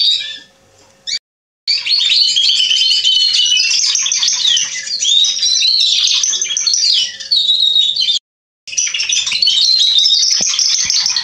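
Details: Male Atlantic canary singing on 27.10.2020: long runs of rapid twittering trills and sweeping whistles, broken by two short silent gaps, each run resuming at full strength.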